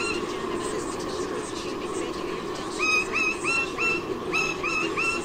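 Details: White-bellied sea eagle pair near Sydney, Australia, 16 October 2018, with the young bird gone from the nest while the parents chase off intruders; loud upslurred honking notes, about three per second, begin midway over steady background noise.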